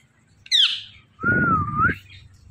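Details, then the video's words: Talking Indian ringneck parakeet: a sharp, harsh descending squawk, then after a short pause a long wavering whistled tone that rises at the end, with low rumbling background noise. "Indian Ringneck Talking Parrot"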